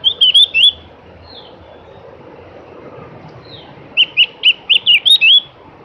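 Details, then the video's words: Javan grey-throated white-eye singing: a quick cluster of bright, wavering chirps, a pause with faint distant notes, then a second run of about seven rapid, high chirped notes. "kicoan merdu burung Opior jawa atau cak gentong"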